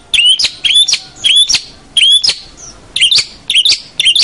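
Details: Long-tailed shrike master song meant to train juvenile birds: fast varied chirps sweeping down from high to mid pitch, grouped in short bursts about every half second.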